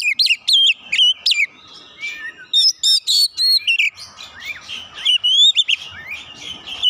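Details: White-rumped shama provoking a rival: dense run of sharp whistled notes and trills early on, then softer, rambling warbled phrases with a faint hiss behind.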